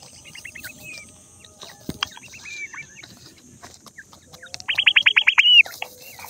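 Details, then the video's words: Francolin (jungli teetar) chicks playing in mud give thin, high peeping notes, with a quick run of about eight chirps near the end, over a steady high insect-like hiss. "jungli teetar chicks voice"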